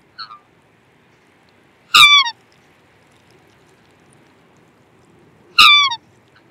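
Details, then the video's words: Two strong black swan calls nearly four seconds apart, each a bright, rich note that dips in pitch, after a faint double pip at the start, over a quiet hum. "Black Swan Bird Call"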